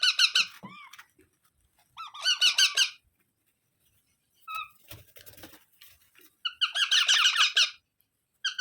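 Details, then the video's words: Baby parrot producing bursts of rapid, harsh squeaks between stretches of silence, with a single thin whistled note and faint tapping in the quiet middle section. "Baby Parrot Sounds"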